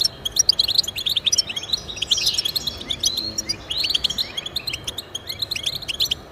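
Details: European goldfinch twittering used to stimulate pet goldfinches: lively, rapid chirps with a brief rasping burst and a few rising slurred notes among the chatter.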